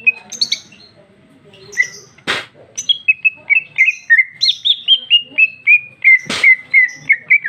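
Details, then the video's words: Gacor female cucak ijo (green leafbird) with 'isian' fill-ins: chips and two harsh bursts, then a long, even series of clear whistled notes, about three per second, slowly descending in pitch. "Cucak ijo betina paling gacor ngeplong isian super mewah"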